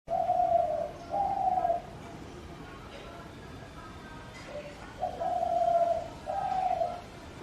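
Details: Spotted dove calling: two long, low, steady coos in a pair, a pause, then a short lower note and another paired set of long coos, with faint quiet background.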